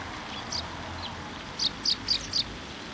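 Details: Sparrows coming to a post to be fed at a shrine on 10 October 2023; a short run of four sharp high chirps in quick succession, with a fainter chirp earlier, over steady low background rumble.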